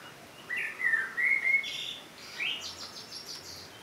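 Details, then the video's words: Common blackbird (Turdus merula) singing: a low, mellow fluted warble rising and falling, followed by a higher, thinner twittering flourish with rapid squeaky notes at the end. "Blackbird song - Turdus merula - შავი შაშვი"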